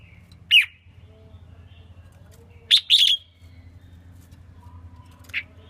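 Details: Female red-whiskered bulbul, a selected bird singing to stimulate males; short bright chirped notes: one at the start, a quick double burst near the middle, another note at the end, over a low steady hum.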